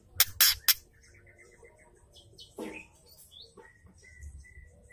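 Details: Ketrekan of a female white-rumped shama, meant to fire up males: three sharp dry clicks at the start, then quiet twittering notes, a short buzzy burst and a few thin high whistles.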